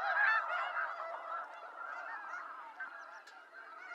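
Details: Wild snow geese in North America, a dense flock giving overlapping nasal honks and yelps that blend into continuous clamour, loudest in the first half-second.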